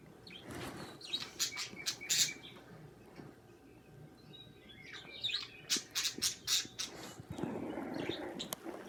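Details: Two pet budgerigars kissing, singing and chirping: scattered high, sharp chirps and clicks in uneven bursts, a busier cluster near the start and another after the middle, with soft rustling between.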